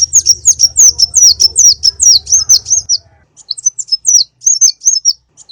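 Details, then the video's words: Konin bird singing in a lure recording, with rapid high twittering notes that twist downward and repeat over two a second, then a short gap before sparser, scattered chirps follow over a faint low hum. "Pikat Burung konin //masteran suara burung konin full isian"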